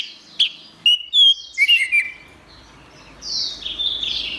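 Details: Orange-headed thrush song used to train songbirds: several clear, high whistled notes and quick chirps in the first two seconds, followed by softer, drawn-out high slurred tones.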